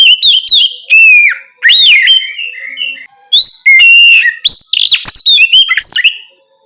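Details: Oriental magpie-robin singing the loud, open ngeplong style at night, played as a prompt so untrained magpie-robins answer quickly: rich whistled phrases, rising and falling slurs and sharp chips in bursts, a short pause near three seconds.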